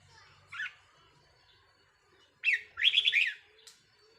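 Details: Decoy red-whiskered bulbul recorded 4 May 2023 gives a soft opening note, then a loud burst of rapid, repeated bubbly warbles lasting about a second, followed by a short final note.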